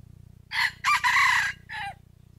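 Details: Crow of a decoy red junglefowl rooster, used to provoke reluctant wild males to call when trapping. Three parts: a clipped first syllable, a drawn-out rasping middle and a short dropping tail, with a faint low hum behind.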